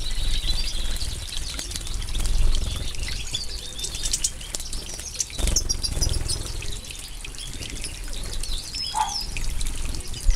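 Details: European goldfinches ('Mayor', 2015) in full moult at bath time: thin, high chirps and twitters scattered through the clip over steady splashing and pouring water, with one lower, brief note near the end.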